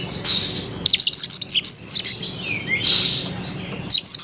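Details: White-rumped shama song heard as quick runs of high, sharp chirps and buzzy trilled notes in short bursts, with a softer sliding whistle between them and a faint low hum underneath.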